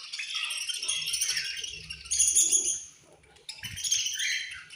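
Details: Feeding-time chatter from a budgerigar colony: busy, high, scratchy chirps from many birds, pausing briefly before resuming, with faint low knocks.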